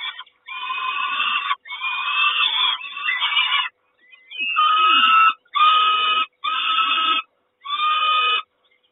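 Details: Peregrine falcon mother feeding at the Kawęczyn nest on 3 June 2022; a series of loud, hoarse screaming calls, each about a second long, repeat with short gaps, some with a whining rise.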